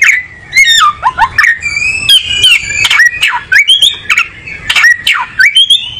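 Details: Kacer, or oriental magpie-robin, in varied song: clear whistles mixed with rapid downward-slurred notes and brief harsh chips, tumbling phrases repeated in lively succession over six seconds.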